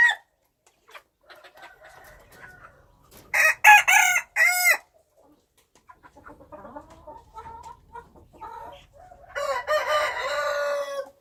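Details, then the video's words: Wild chickens: clucking and scattered calls, then a loud harsh rooster crow in several bursts around the middle, quieter clucks, and a second long crow near the end. "wild chickens"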